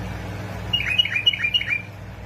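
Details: Bulbul from Basra and Fao singing a lively string of about seven clear, fluty notes, each dipping in pitch; for prompting bulbuls to sing, with faint low hum behind.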